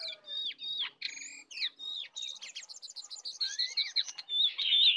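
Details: Sooty-headed bulbuls, a wild bird versus a caged bird in a heated singing match, full song; rapid jerky whistled phrases and stuttering chirp series, ending in a loud tangled burst.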